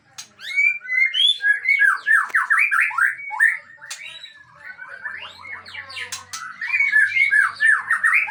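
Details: Aceh white-rumped shama singing a long unbroken string of mixed phrases, with warbled slurs, chattering notes and rich whistles, run fast and close together with only brief pauses.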